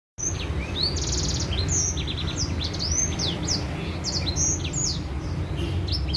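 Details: White-rumped seedeater song used as a lure to make other birds sing: a fast, varied run of high sweeping whistles and buzzy trilled notes, with a steady low hum underneath.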